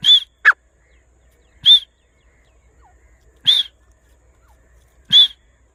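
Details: Grey francolin out in the grass gives sharp, bright, arched whistled notes spaced roughly one and a half to two seconds apart, each preceded by a low thud, with an extra quick note early on and quiet pauses between.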